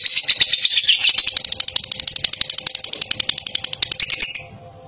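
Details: Female lutino lovebird of fighter type trilling at length: a fast, shrill clicking rattle that holds for about four seconds, then stops abruptly, leaving quiet room noise.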